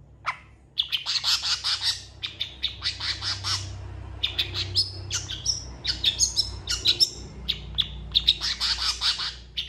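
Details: Long-tailed shrike singing a varied, mimicking song that includes cat and chicken sounds, used for training songbirds: dense bursts of harsh, scratchy notes mixed with sharp clicks and chatters, broken by short gaps, over faint low background noise.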